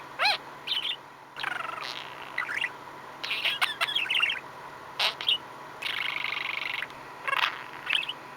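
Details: Pet male budgerigar, indoors, happily and contentedly chattering: scattered warbled notes, squeaky rising chirps and a buzzy sustained burst, with pauses between phrases.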